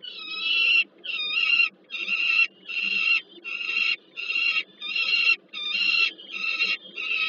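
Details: At a Peregrine falcon nest on the Żerań heat plant, Warsaw, Poland, in August 2022, one bird brings food to another. A regular series of rasping, whining cries comes about every 0.8 seconds, nine in all, over a low hum.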